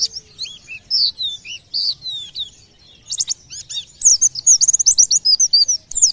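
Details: Singing white-eye, whose voice is said to prompt nearby birds to join in: clear, high, slurred whistles dropping in pitch, a short pause, then a rapid, busy stream of shrill chirps and twitters, loud and close.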